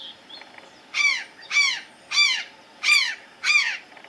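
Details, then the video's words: Azure jay perched on the highest branch of a tree, calling five loud, harsh, down-slurred notes spaced roughly half a second apart, after a brief quiet start with faint background noise. "Gralha azul descansando no ultimo galho da árvora, Cyanocorax caeruleus, Azure Jay"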